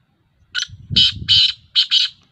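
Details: Black francolin, recorded 19 August 2021, calling a harsh, scratchy phrase: a brief first note, two sustained grating notes, then two quick notes after a short pause. A low murmuring rumble runs beneath the middle of the call.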